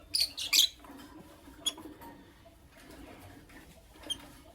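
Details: Morning lovebirds, Creamino and Lutino Opaline, open with a rapid burst of two or three shrill rasping chirps, then quiet with a few faint isolated ticks.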